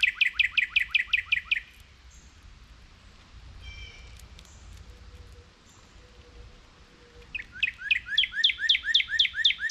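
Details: Northern cardinals awaiting seeds dropped to the ground near a feeding squirrel; rapid runs of sharp, down-slurred whistles, about ten in a burst, then a quiet pause with faint distant notes before another quick series begins.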